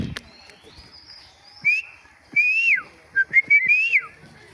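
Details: A pet myna being coaxed by its owner to talk gives three short whistled, speech-like phrases that rise and then slide down, with a faint click at the start and a quiet background.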